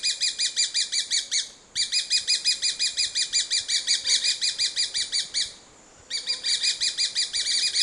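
A grey-breasted parakeet gives long runs of harsh, scratchy notes, several per second, broken by two short pauses; no other sounds stand out.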